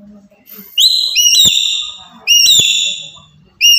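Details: Loud lure calls of a Papuan black-capped lory: three strident, rising-then-level ringing notes with clicking onsets, over faint low background hum.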